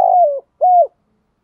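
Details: Decoy spotted dove calling in the early morning: two low, hollow coos, the first sliding slightly downward, the second steady and then dropping at its end, with silence after.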